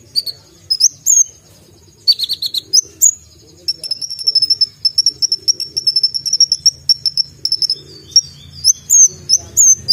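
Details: Brown-throated sunbird (kolibri ninja) song with tembakan fills: scattered sharp high chips, then a long, even, rapid trill of very high ticking notes for about four seconds, ending in slurred whistles.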